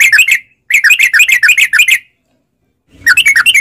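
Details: Lure song of the sooty-headed bulbul for making caged birds sing: rapid chirping phrases, a short burst then a longer one, a second of silence, and another bubbly burst with faint low rumbling.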